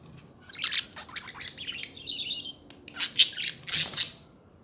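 Budgerigars chatter in quick, scratchy high chirps and warbles, with a run of rapid twittering and a few sharper squawks; nothing else is heard.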